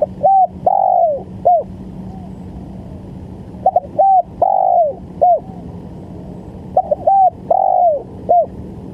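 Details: Spotted dove calling, used as a lure for trapping: repeated phrases of short hollow coos followed by a longer drawn-out coo, about every three seconds, over a steady low hum and faint background noise.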